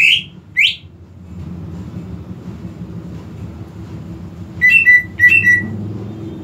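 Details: Greater green leafbird singing as a lure to start a reluctant leafbird: two sharp rising whistles open, a quiet pause with low hum follows, then two clustered bursts of steady, ringing whistled notes.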